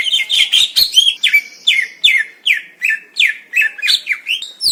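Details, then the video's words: Greater green leafbird in the wild in Indonesia, repeating a rapid series of sharp, downward-sweeping whistled notes, about three per second, after an opening of dense chattering. "KUMPULAN SUARA MASTERAN CUCAK IJO JERNIH"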